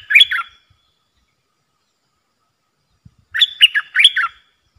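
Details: Decoy recording of a Streak-eared bulbul singing to lure birds: a short bubbly note, a long silence, then a phrase of four warbling, chattering notes in quick succession.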